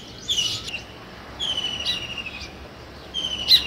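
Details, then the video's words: Sparrow chirping: a few sustained, slightly buzzy high notes held for about a second each, mixed with brief sharp chirps, separated by short quiet gaps. "Sparrow Chirping Sounds"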